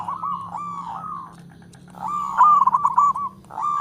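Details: Local zebra dove (perkutut lokal) calling in all directions: faint, drawn-out cooing phrases with a low steady hum beneath, then a louder rapid run of bubbling coos near the end.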